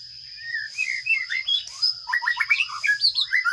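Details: Nestling sparrows calling while being fed in a nest box, picked up by a nest camera: scattered chirps build into fast, insistent twittering, several short notes per second, with a continuous high-pitched hum in the background.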